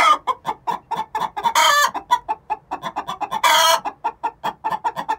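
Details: Two six-month-old hens calling the egg song before laying; quick overlapping clucks run continuously, interrupted twice by loud, rasping, drawn-out squawks.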